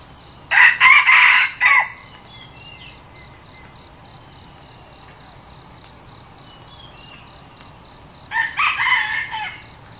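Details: A red junglefowl used as a decoy, newly brought for a trial, crows loudly twice about seven seconds apart. Each crow is a raspy series of three or four choppy segments, with soft whistles from other birds and a faint insect hum between them.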